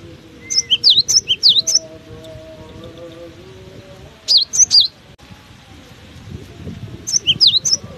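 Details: Cinereous tit singing amid strong wind: rapid clusters of high, sharp chirping notes come in three bursts. Low drawn-out tonal sounds run beneath them between bursts, with wind noise throughout.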